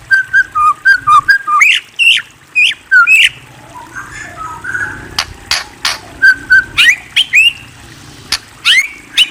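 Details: White-rumped shama singing short clipped whistles and rising slurred notes in rapid runs, with a quieter scratchy passage in the middle and a faint low hum throughout.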